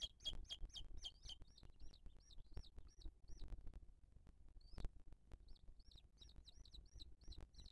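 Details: Booted eagle nest, 2023, with the female feeding her chick and other birds attacking her. Rapid high chirps at first, then spaced hooked whistles with gaps and a few loud clicks.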